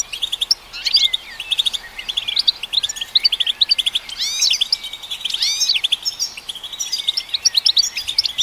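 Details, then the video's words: European goldfinch vocal performance used to stimulate goldfinches: bright, fast twittering with clicking notes, sweeping up-and-down slurred whistles in the middle, and a rapid tinkling run continuing to the end. "Golden Songbird vocal performance to stimulate the goldfinch"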